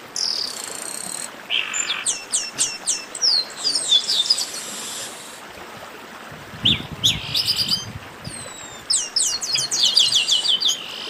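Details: A garibaldi 'baderna', the rowdy group chatter of Chestnut-capped blackbirds: bursts of sharp, high, rapidly repeated chirps and downslurred whistles, pausing midway then returning, over soft steady background hiss.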